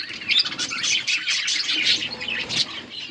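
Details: Breeding budgies feeding their chicks, giving dense, continuous high chattering and rapid scratchy chirps throughout, rising in intensity around the middle and near the end.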